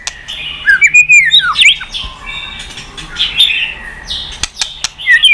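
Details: A white-rumped shama sings to provoke other birds: arching whistles and twisting slurred notes, then softer, broken phrases with clicks and pauses.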